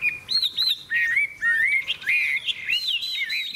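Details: Hwamei, a bright golden bird with a big tail that flicks its wings, singing in a contest: loud clear whistled phrases that loop up and down, with short rising slurs and quick repeated notes, broken by brief pauses.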